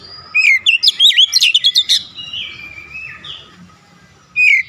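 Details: Oriental magpie-robin giving an aggressive "shooting" song, unloading its repertoire: a fast, loud volley of sharp, rising and falling high notes, then a long soft descending whistle, and a final loud note.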